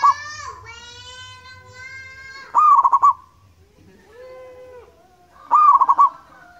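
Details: A local wild zebra dove gives pulsed, rolling coo phrases about three seconds apart, each a quick upslur then throbbing beats. Long nasal, harmonic calls from other animals sound between them.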